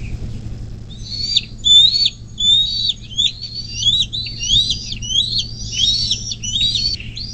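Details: Bald eagle at a nest beside the Little Miami River near South Lebanon, southwest Ohio, USA, caught by nest camera on 24 May 2024 at 10:12; thin, high chittering notes rise and fall in a ragged series over a faint low hum.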